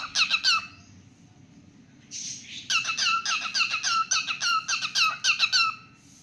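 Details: Cockatiel kept as a pet, singing: a few quick squeaky whistles, a short breathy rasp, then a dense run of chirpy, downward-bending notes, over a soft low background hum.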